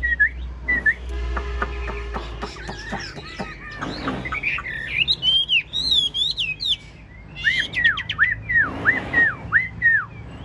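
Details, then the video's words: Kept in a cage, a large 'ngũ trường' Chinese hwamei sings with nodding lion-dance movements: buzzy repeated notes give way to high sweeping whistles and a string of clear downslurred notes near the end. "Họa mi ngũ trường bộ to hót gật gù múa lân"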